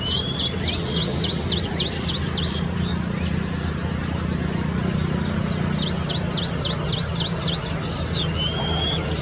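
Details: Baya weaver (Ploceus philippinus) near Kapra Lake, Hyderabad, on 2 October 2020, gives two bursts of quick, high, sparrow-like chirps, several per second, over a steady low rumble of distant traffic or wind.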